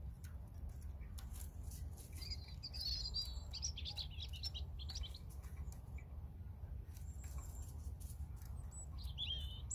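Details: Faint European robin song, a few scattered, high, rapid jangling phrases and thin whistles separated by pauses, partly masked by constant low-pitched background noise.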